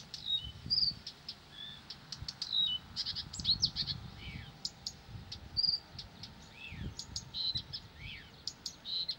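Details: Blyth's reed warbler singing tirelessly: a varied run of short high whistles, clicks and slurred notes, some dipping or rising, delivered in uneven bursts over faint low rumbling background noise.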